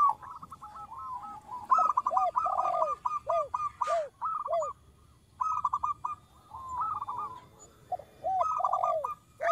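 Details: Lure song from a local zebra dove, small-voiced: bursts of rapid stuttered notes broken by curved falling coos, several short pauses between phrases.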